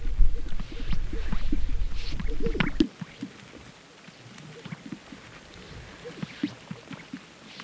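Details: Greater Sage-Grouse males displaying at a lek in high sagebrush desert, North Central Colorado, on a snowy April morning as night fades to gloaming. Soft, low popping notes come in quick, uneven bursts after nearly three seconds of heavy rumbling wind.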